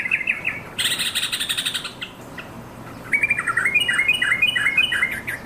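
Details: Yellow-vented bulbul calling its companions: brief chirps, a dense buzzy chatter, then a bright bubbling sequence of quick up-and-down whistled notes climbing in pitch, against a constant background hum.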